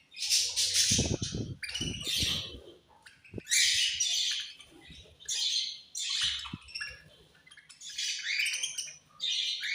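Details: Budgerigars at feeding time trade sharp, buzzy high chirps and squawks in repeated bursts, with a few clicking knocks between calls.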